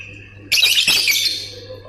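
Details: Lovebird chatter, a single harsh, dense squawking burst that fades over about a second, with a faint hum in the background.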